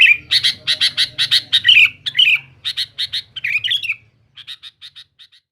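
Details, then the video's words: Male Sooty-headed bulbul singing noisily to press rivals: rapid scratchy, squawking notes repeated about three per second with brief whistled slurs, tailing off into softer short notes, over a faint low hum. "suara BURUNG KUTILANG GACOR RIBUT MENEKAN LAWAN"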